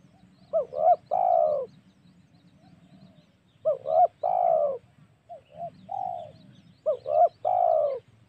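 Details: Spotted dove luring call meant to provoke wild doves for hunting: three repeated phrases, each two brief hooting coos and a long sliding coo. A softer, shorter variant comes between the second and third.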